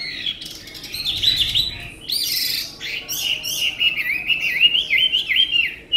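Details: Chinese hwamei, a tame caged bird, pours out a loud varied song: slurred whistles, a harsh burst, then a rapid series of bouncing warbled notes repeated about five per second.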